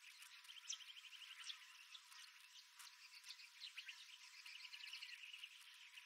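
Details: Early morning birdsong on a walk around the rim of Wolfe Creek Crater in the Kimberley desert of Western Australia: faint, busy chorus of high chirps and short repeated trilled notes, several birds overlapping, steady throughout.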